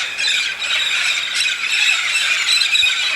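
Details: Red-spectacled parrots, a big flock migrating to the Santa Catarina highlands in southern Brazil for pine nuts; continuous loud chorus of shrill squeals and grating squawks blended into one dense wall of noise.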